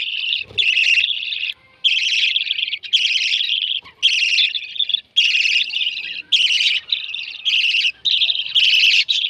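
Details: Baby lovebirds begging at feeding time: repeated buzzy, rasping bursts of roughly half a second to a second, coming about once a second, with occasional soft thumps.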